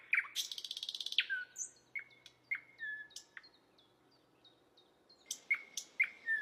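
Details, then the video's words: Asian brown flycatcher song recorded to train songbirds: a dense rattling buzz, then spaced whistled notes and downslurs, a brief pause, and a renewed burst of sharp chirps and whistles. "Masteran sultan sikatan londo"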